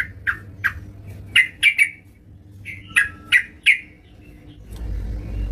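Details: Yellow-vented bulbul singing at home, delivering separated sharp, slightly squawky notes in small groups, followed by a low rumbling noise near the end.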